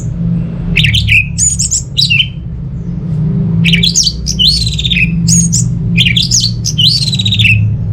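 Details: Orange-headed thrush song used at home to lure non-singing birds into song: loud varied phrases of sharp rising and falling whistles and harsh notes in bursts, with pauses, over a steady low hum.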